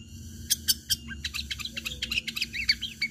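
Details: Long-tailed shrike fighting-style song meant to lure other shrikes into singing: a busy, chattering run of varied high notes and short squawky phrases, densely packed, with soft low hum behind.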